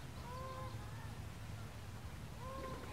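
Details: Canada goose at a lake in El Dorado Park, Long Beach, California, giving two clear nasal honks, one near the start and one near the end, with a steady low-pitched rumble in the background.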